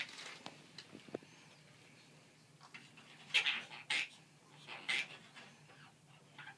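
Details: Two pet Quaker parrots chatter in short, harsh, high-pitched bursts of mimicked talk such as "give me a kiss".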